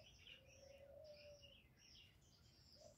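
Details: A spotted dove used to lure birds gives one long, steady, low coo, with the start of the next phrase at the end and scattered high chirps from other birds behind it.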